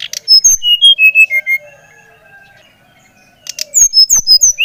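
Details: Brown-chested jungle flycatcher of the type called SRDC Bali, singing steadily, used to stimulate another bird to sing: a descending run of clear whistled notes, a short pause, then higher falling whistles with sharp clicks.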